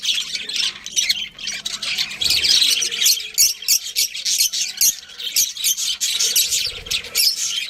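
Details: Budgerigars keep up rapid high chirps and raspy warbling, overlapping callers forming a steady chatter with short breaks.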